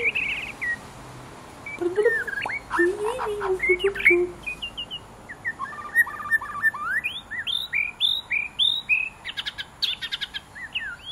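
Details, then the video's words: Pet white-rumped shama singing while playing with its owner: a varied run of whistled notes and low warbles, then a series of quick rising chirps repeated in steady succession. "white rumped shama"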